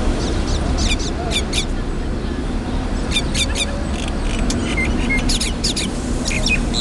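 A myna gives harsh, clicking chirrups and brief sharp whistles in bursts about once a second, over a steady low rumble of traffic.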